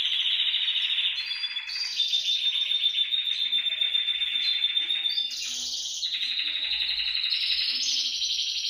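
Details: Canary singing to encourage caged canaries to sing, a continuous run of rapid trills that shift pitch in steps, with a long steady rolling tour in the middle and higher trilled phrases toward the end.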